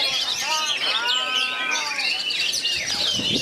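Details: Oriental magpie-robin, with three others close by, singing bagong and kerayu style: rich whistled phrases and rising-falling slurs over a dense mesh of high chirps from the other birds.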